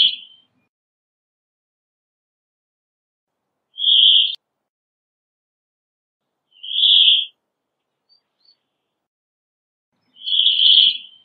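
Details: Brambling repeating a nasal, wheezing buzz four times at intervals of about three seconds, with a clean, quiet background.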